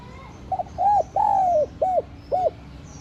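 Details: Spotted dove cooing to lure and stir up wild doves: one phrase of five mellow hooted notes, a short double note, then two longer arched coos and two clipped ones, over a faint low hum.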